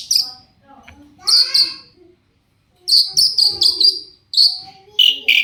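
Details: Long-tailed shrike in full song, played as a lure to make other shrikes answer: clusters of harsh, buzzy rasping notes broken by short gaps, with a few thin whistled tones between bursts.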